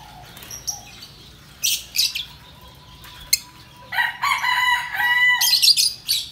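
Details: Pet yellow lovebird chirping: scattered sharp high notes at first, then a dense, rapid run of harsh, buzzy chattering squawks over the last two seconds.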